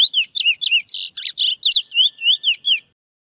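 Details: Wild chestnut-bellied seed finch singing in the mateiro style. Short, looping whistled notes repeat several times a second around a brief buzzy, scratchy burst, then the phrase ends in silence.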